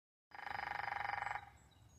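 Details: Woodpecker pecking a telephone pole. A rapid, even drum roll of about 25 strokes lasts just over a second with a ringing, hollow tone, then fades into quiet.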